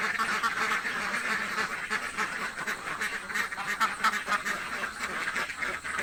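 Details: A flock of very hungry village ducks quacks nonstop, harsh nasal calls overlapping into a thick, steady clamour.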